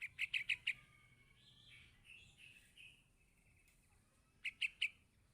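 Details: Yellow-vented bulbul chick calling its parent with bursts of sharp chirps at the start and end, separated by softer whistled, wavering notes.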